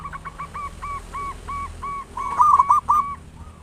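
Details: Local zebra dove with a big voice, singing as a lure for other doves: an even series of soft coos about every quarter second, followed by a louder, faster rolling burst of coos.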